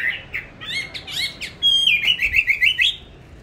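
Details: Caged songbird, bought on 19 May 2020, kept on a steady bran diet and said to sing anywhere and at any hour: brief chirped notes, then a clear high whistle sliding into a fast, looping warble of repeated rising-falling phrases.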